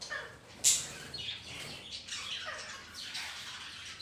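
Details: Budgerigars kept together with ring-necked parrots in a colony at home give quick chirps and falling twitters, with one sharp loud squawk early and a mix of calls from several birds.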